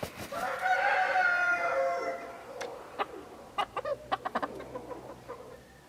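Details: Partridge-coloured Araucana chicken, a Chilean breed, crowing: a long harmonic-rich crow lasting about two seconds, followed by a string of short sharp clucks and knocks.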